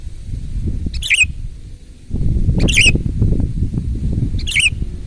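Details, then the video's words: Three separate loud phrases from a sooty-headed bulbul, each a fast cluster of warbled liquid notes, spaced well apart, over steady low rumbling background noise. "ISIAN BURUNG KUTILANG GACOR MEWAH !! SUARA KERAS"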